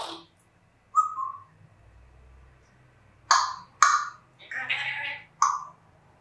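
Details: A female pet African grey parrot indoors during her normal morning routine. A short whistled note is followed by sharp, harsh squawks and a buzzy, chattering call, each separated by brief pauses.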